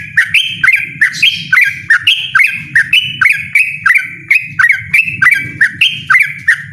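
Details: Rapid ropel song of a yellow-vented bulbul, loud and unrelenting: about twenty liquid, chirpy phrases, each a quick upslur onto a level whistle, delivered back to back over a low murmuring background.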